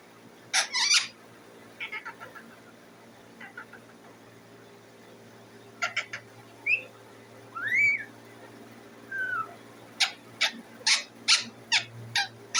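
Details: Indian ringneck parakeet kept as a pet, giving scattered harsh chirps, a couple of slurred rising whistles, and a closing series of rapid, evenly spaced sharp chirps over a steady low hum.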